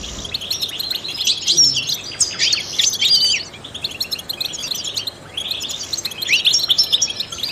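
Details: European goldfinch, a trained singer, delivering a continuous tinkling twitter of high chirps and slurred whistles in two dense bursts separated by a short quieter stretch.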